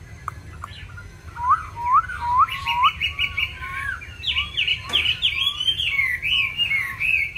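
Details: Chinese hwamei, a kept songbird with many wild-style voices: a series of looping whistled notes, then rapid repeated buzzy trills and twisting high warbles, over steady low background hum.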